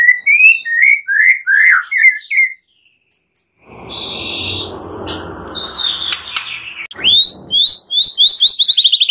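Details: White-rumped shama song in a master recording for training other birds, full of varied fill-in phrases: a run of rising slurred whistles, a short pause and a noisy burst, then a fast series of sharp upswept notes.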